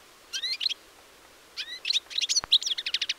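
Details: European goldfinch on 4 April 2018 giving short bursts of bright, rising tinkling notes, a pause, then a faster chattering phrase of clipped twitters, with one sharp click partway through.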